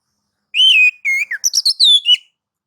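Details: White-rumped shama song played to stir other shamas to sing: long steady whistles at the start, then a quick run of short chips and high sliding whistles ending in a falling note.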